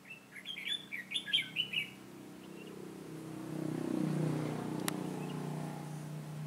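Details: Decoy red-whiskered bulbul singing to draw wild birds into a trap, recorded 22 September 2017: a rapid string of bright, looping whistled notes over about two seconds, then a low engine-like rumble and hum take over.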